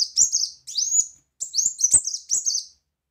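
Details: Brown-throated sunbird singing loud 'tembakan' phrases: chains of high, sharply rising and falling whistled notes in three quick bursts with brief pauses.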